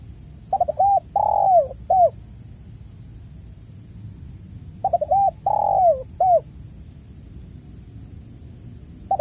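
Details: Spotted dove calling, played to prompt caged doves that have gone quiet: repeated phrases roughly every four and a half seconds, each with quick stutters, a drawn falling coo and a brief final note; a last phrase begins at the end.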